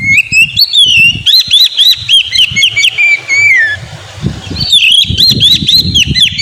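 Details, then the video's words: Caged Oriental magpie-robin lure song for a silent bird: rapid repeated whistled notes, about four a second, with a falling slur, a pause, then another fast whistled series over low rumbling noise. "Pancingan burung Kacer; yang lagi ngambek bunyi"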